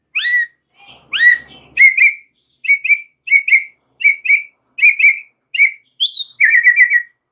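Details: White-rumped shama (murai batu) singing extra-chatty full song: rising and falling whistles, then a repeated two-part whistled phrase given about every half second, ending with a higher slur and a fast trill.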